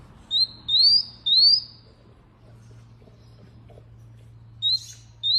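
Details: Canary singing: three clear rising whistled notes in quick succession, a pause of about three seconds, then two more short upslurred whistles, over a faint steady low hum.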